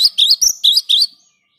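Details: Cinereous tit, in a recording used to attract birds: five clear, high whistled notes, each sliding upward, spaced roughly a quarter second apart, then silence.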